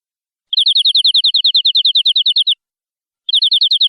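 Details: A canary sings a fast, even trill of high, clipped notes for two seconds, falls silent, then starts the same rapid rolling trill again.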